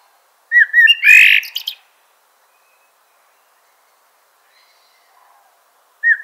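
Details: Common blackbird giving a short burst of song: a few rounded whistled notes and a brief rough, strained squeak. After a long silence, a single mellow note begins again.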